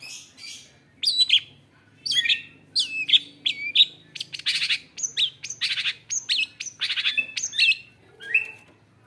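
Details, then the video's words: Newly acquired caged long-tailed shrike singing a varied song of mixed phrases: whistled slurs, sharp chips and buzzy bursts in short irregular groups, each separated by brief pauses. "CENDET GACOR ISIAN"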